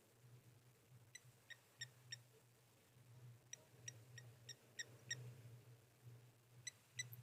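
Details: Blacksmith lapwings calling at the Okaukuejo waterhole while giraffes drink, sharp metallic tick notes repeated irregularly in short bursts over a low steady hum.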